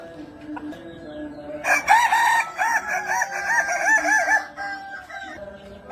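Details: Kukuak Balenggek chicken, a Minangkabau 'singer' breed known for a melodious, stacked and tiered (balenggek) crow starting from four syllables. A long rolling crow of about six wavering, undulating syllables lasts nearly three seconds over faint background noise.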